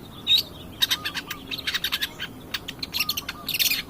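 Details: Dense, busy song of a long-tailed shrike, recorded as a lure to spur other birds into singing: quick chattering high notes tumbling together, with a few soft whistled slurs mixed in.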